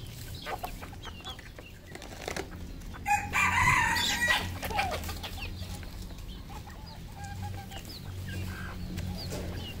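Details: Crow of a red junglefowl on a Cambodian farm: scattered clucks, then a single loud, rich crow lasting about a second, followed by more soft clucking and low hum.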